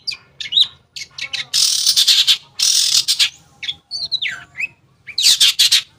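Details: Long-tailed shrike song meant to trigger silent shrikes: short chips and a few falling whistles, separated by long, loud, grating rasps in three stretches.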